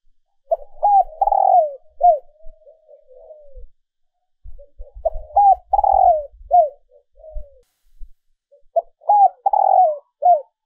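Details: Female dove calling to lure males, Vietnamese lure recording; low cooing phrases near 500–1000 range, each a few short notes then a longer rolling coo with falling tail, repeated in three bursts with brief pauses.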